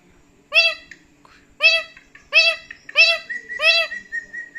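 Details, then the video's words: Feisty male pet parrot indoors, combining talking with angry screaming: five loud, rich, speech-like calls about one per second, the last trailing into a steady whistled tone. "The Feisty Parrot: Combining Talking and Angry Screaming"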